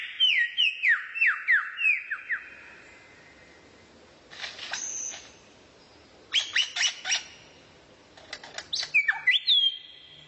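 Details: Rare bird song used as tutor material for training a white-rumped shama: a run of descending whistled slurs repeated rapidly, then pauses and bursts of clipped, buzzy notes and sharp high chips.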